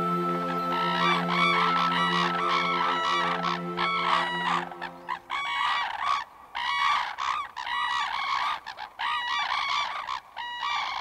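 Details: Red-crowned cranes calling during a courtship dance on a clear winter morning in eastern Hokkaido, many birds together; loud, harsh trumpeting notes repeated rapidly and overlapping, with a steady low hum beneath the first five seconds.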